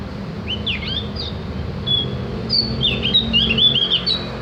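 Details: Tutoring recording of a Javan grey-throated white-eye: a few swooping whistles, a brief pause and a single thin note, then an excited tumble of fast, high twittering notes, with low steady hum behind.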